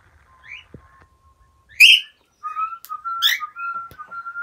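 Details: Pet cockatiels listening to whistling and playing happily; a steady, level whistled tone runs through the clip, broken by two loud, harsh, buzzy bird chirps and a few softer short calls.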